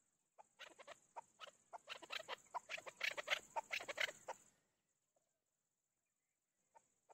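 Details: Chukar partridge, known as chakor or keklik, calling in a rapid rising chatter of clucking notes that builds to a dense, excited climax over four seconds, then stops, leaving near silence with faint stray notes.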